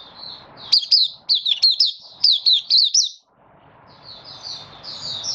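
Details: Caged Malaysian Oriental white-eye, minor moult, August 2023, in Buka Sing: a lively run of high, sweeping twitters for about two seconds, then quieter, softer chirps fading over a steady background hiss.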